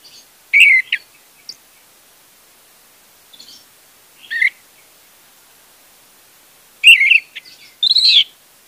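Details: Orange-headed thrush lure for a bird that will not sing: scattered short whistled and chirping notes, some soft, with two louder clustered phrases near the end.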